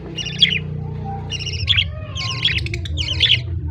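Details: Budgerigar chicks being fed by the male, recorded on October 18, 2023: four bursts of harsh, raspy, buzzing begging notes with stacked harmonics, about one each second, over a steady low hum.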